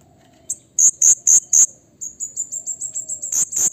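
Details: Blue-crowned hanging parrot calling to excite rival birds: four loud, harsh high shrieks, then a fast rattling series of about a dozen short shrill notes that speeds along, ending in two louder blasts.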